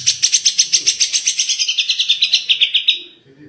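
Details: Grey-cheeked bulbul (cucak jenggot) in tembakan song, about twenty fast, evenly spaced high chirps that gradually fall in pitch before fading out.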